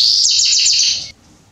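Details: Male Salsa Belgian canary singing to warm up a canary: a dense, high rolling trill of quick downward-sliding notes lasting about a second, ending abruptly into quiet.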